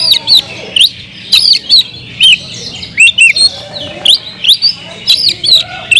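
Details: Oriental magpie-robin in full kemrayak song, sung to provoke rival magpie-robins: a steady stream of loud, clear whistled notes, many curving up or down, delivered in quick bursts about every half second with brief clicks between them.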